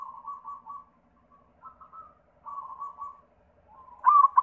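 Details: White zebra dove singing as a lure for other zebra doves: several short bursts of rolling cooing separated by gaps, ending on a louder, rapidly beating trill.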